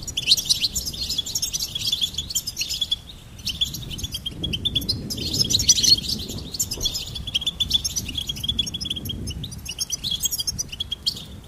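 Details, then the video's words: Goldfinch singing a long, continuous high twitter of quick chirps and trills that overlap densely, over a soft low background hum. "Charming Goldfinch Peep Fun for bird stimulation birds chirping"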